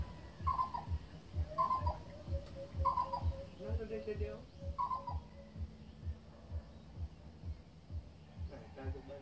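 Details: A Philippine coucal (Centropus viridis), locally called kokok, gives short, hollow hooting calls spaced one to two seconds apart over a low rumble. This is a Philippine endemic that lives in mountains and cultivated areas.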